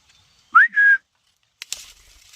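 A ring-necked parakeet gives a clear two-part whistle, a quick upward sweep then a steady held note, followed by brief scratchy rustling.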